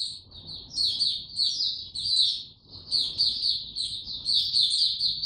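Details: Singing caged white-eye (Mata Puteh), recorded 29 April 2022 and given no supplements: steady, high-pitched warbling chatter of quick squeaky notes in two long phrases, over a soft low background hum.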